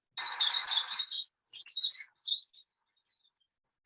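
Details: A silvereye (waxeye, tauhou), a small New Zealand bird visiting gardens, gives a dense burst of high, twittering chatter, then several short thin warbled phrases and a few faint high chips.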